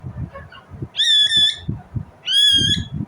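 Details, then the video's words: Indian ringneck parrot giving two long, loud, shrill screeching calls, each held steady for about half a second and spaced over a second apart, over a low rumbling background. "Indian Ringneck parrot Natural sound, parrot chirping sound"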